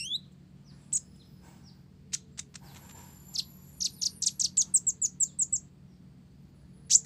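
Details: Olive-backed sunbird of the Blorok type in full song with learned Java sparrow material. Isolated high chirps lead into a fast run of about a dozen bright, evenly spaced piercing notes, then a pause and more chirps.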